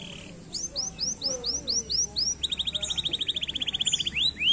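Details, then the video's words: Canary singing a row of upward-curving whistles followed by a rapid, rattling trill of many short notes and two final swooping whistles. "kanaryaların cıvıltıları"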